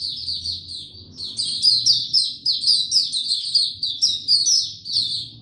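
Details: Caged white-eye singing in warm, very humid weather: a fast, continuous run of high, twittering whistled notes, bright and slightly buzzy, rising and falling in quick bursts with barely a pause, the whole clip filled by the song.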